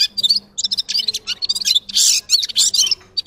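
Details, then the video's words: Jumbled high twittering song of a red-fronted serin with quick chips and one harsh, hissing burst near the middle, over a steady faint low hum. "Gulsir Singing (Seriniis pusillus) Пение Птицы (Yurok Qushi Red-capped signing) G'ir-G'ir"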